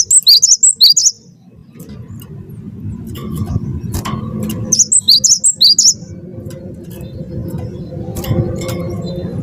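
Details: Cinereous tit of the wingko variety, a prolific singer used to trigger song in other birds, gives two quick phrases of sharp, high see-saw whistles, each about a second long, with a low droning hum between.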